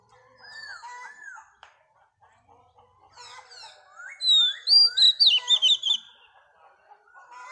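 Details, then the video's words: Wild-caught female Oriental magpie-robin singing to rouse males; quiet curved whistles and faint chips build to a loud sequence of quick, bright warbled notes, then fade to soft calls. "Choè than mái bổi lên giọng hót kích trống"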